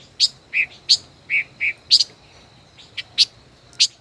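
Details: Caged five-colored bird, a decoy bird kept over a year, in a song duel: short sharp chirps and bright two-note notes repeated at irregular intervals about every half second, with a steady faint high hum behind.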